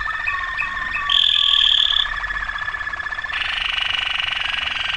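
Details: Waterslager canary singing: rapid rolling trills, then a steady bright whistled note held about a second, then a low dense buzzy roll continuing to the end.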